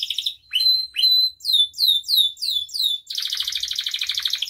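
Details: Canary in full continuous song for tutoring and luring: a few upswept notes, then a series of six descending slurred whistles about every third of a second, followed by a long rapid high trill.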